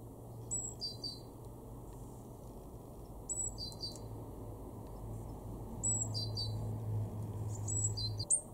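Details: Great tit in a garden in Weener, East Frisia, northwest Germany, in March 2024, giving short bursts of high, sharp notes that drop in pitch, repeated every two to three seconds over a steady low hum.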